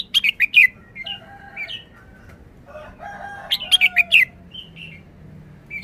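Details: Red-whiskered bulbul showing its song phrasing in the 'forest song' style, short and easy: two bursts of four or five quick, bright, slurred whistled notes, with softer lower warbles and single whistles between them over a faint low hum.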